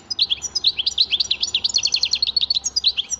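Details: Continuous high, liquid twittering from a European goldfinch: rapid slurred chirps and tinkling notes run without a break through the whole stretch.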